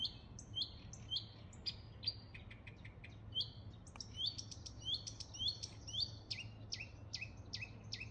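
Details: Marsh warbler at Gävle galvan, Inre fjärden, 2023-06-05, sings a fast, varied stream of chattering notes, clear trills and quick whistled phrases.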